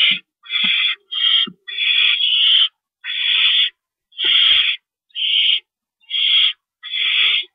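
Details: Owl during a rodent delivery, evening of March 28, 2012 at 9:01 PM: harsh, hissing screeches, broad and noisy, repeated roughly once a second in uneven bursts, with a few low knocks between them.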